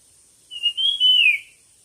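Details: Single whistled song phrase from a competition bird: a short note, a brief break, then a sustained clear whistle that wavers and descends at the end, with a faint steady high hiss behind.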